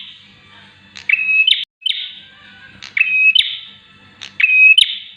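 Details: Bar-winged prinia (Prinia familiaris) song: loud, high phrases, each a sharp click then a steady piercing whistle ending in an upward flick, repeated about every one and a half seconds.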